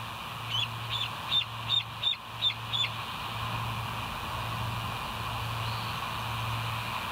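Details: Bald eagle at the West End nest, filmed by a live nature cam on 28 August 2023 at 07:02 in the morning. A run of six high, thin whistled notes with a rising-falling shape, about two per second, over a low pulsing electrical hum.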